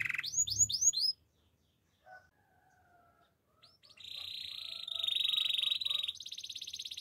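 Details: A few quick falling canary whistles, then near silence with faint notes, followed by a long high buzzy, rattling trill that shifts pitch toward the end.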